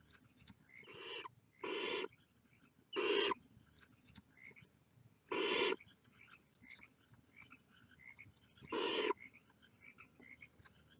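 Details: Barn owl chicks peering from their nest make a run of harsh rasping hisses, six bursts over eleven seconds at uneven intervals, softer chirps scattered among them.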